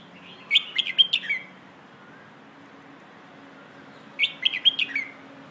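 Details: Red-whiskered bulbul delivering the pleng ho song style used for teaching young birds: two matching phrases of about six rapid, bright whistled notes each, separated by roughly three seconds of quiet.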